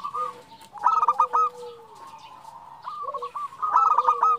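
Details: A female zebra dove calls the male: quick runs of bright, stuttering coo notes alternate with a steady, lower trill and a long falling tone, with faint high chirps behind.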